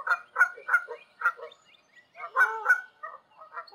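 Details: Canada geese flying high over open land in Canada, a ragged series of nasal honks, some rising and wavering, with a short lull in the middle before a denser cluster of calls.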